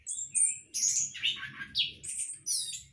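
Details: Orange-headed thrush kept for breeding in a hanging cage. Several sharp, high, squeaky notes and short slurred whistles follow one another closely, some sliding downward, with faint low background noise.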